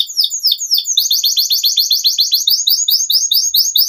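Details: Canary in long, vigorous song: a fast string of high, downward-sweeping chirps repeated about four times a second, shifting after one second to a denser, steadier run of similar slurred notes.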